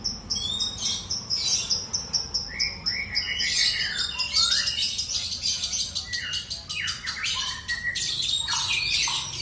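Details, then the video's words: Lovebird in captivity delivering ngekek song, a long unbroken stream of shrill, rattling chatter with scattered falling whistles and harsh squeaky notes, no pauses across the whole stretch. "LB MIAR NGEKEK 2 MENIT"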